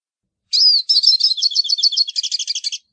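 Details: A hooded siskin opens with a clear sliding whistle, then pours out a quick chattering sequence of high chirps that ends in a rattling trill, lasting a little over two seconds with nothing else audible.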